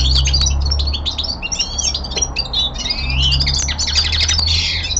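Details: Songbird kept indoors, a common linnet, delivering a rapid chattering song: clipped chirps, rising and falling whistled slurs and buzzy notes running continuously, with a low steady hum beneath.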